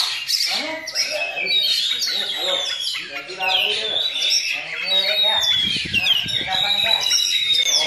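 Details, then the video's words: Oriental magpie-robin, caged, delivering continuous myna-like mimicry: rich run of whistles, slurred upward and downward notes, chatters and squawky bursts, a rough scraping passage near the end. "Kacer Bakalan NgePlong Nembak Masteran Jalak"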